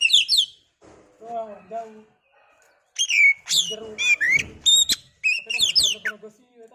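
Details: Oriental magpie-robin song used as a lure to rouse a kacer into singing: bright whistled slurs and rising-falling notes in bursts, with lower murmuring sounds beneath and short pauses between phrases.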